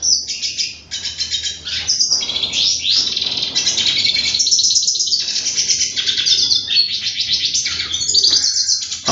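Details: Hooded siskin in continuous song, a rapid jumble of twittering trills, buzzy notes and high chirps with almost no pause, over faint low background hum.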